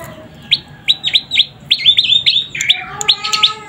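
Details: Young prinia, known locally as prenjak lumut, giving rapid, high, thin chirps, short notes in quick uneven bursts, some slurred together, with a faint steady hum behind.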